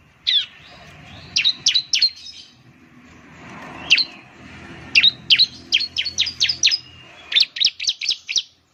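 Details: High, snappy chirps of a ciblek (Bar-winged Prinia) lure track for stirring birds into song: scattered single notes at first, then dense rapid runs of sweeping chirps, over a soft low hum.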